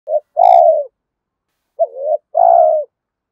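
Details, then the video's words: Spotted dove cooing, a recording used to stir decoy birds into calling and to train them: a short low note, then a longer mellow coo, repeated once after a pause of about a second. No other sounds. "Tiếng chim cu gáy kích bổi nhanh nổi và tập mồi hiệu quả"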